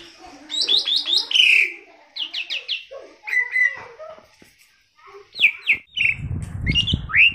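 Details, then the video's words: A tame Asian pied starling chatters in bursts of quick rising and falling whistles and squeaky notes. Short pauses separate the phrases, and low rustling noise enters near the end. The recording is used to lure or train birds. "Burung jalak suren jinak dan cerewet||Masteran pancingan auto gacor.."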